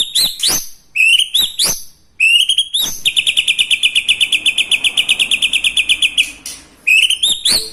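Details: White-rumped shama singing a song filled with lovebird, kapas tembak and cucak jenggot imitations. Rising whistles and sharp snaps frame a long, fast, pulsing trill of about three seconds.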